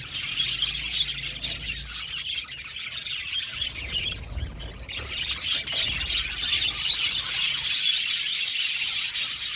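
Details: Aviary budgerigars chirping as a group, an unbroken stream of high twitters and warbles that grows busier and louder toward the end, with rapid repeated chirps.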